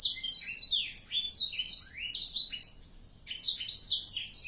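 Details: Energetic song from a four-month-old black-throated canary: rapid, bright, high notes with downward sweeps, a short lull near the end, then a fresh twittering burst.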